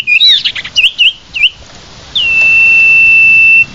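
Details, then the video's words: Lure call of the common iora: a few quick looping whistled notes followed by a single long, flat, sustained high whistle lasting over a second. "Suara pikat burung SIRTU/CIPOH paling manjur"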